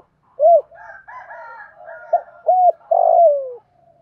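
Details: Spotted dove in the 'thổ' voice, cooing to provoke wild doves. A round coo opens the clip, then a softer higher murmuring phrase, a sharp note, an arched coo and a long falling coo.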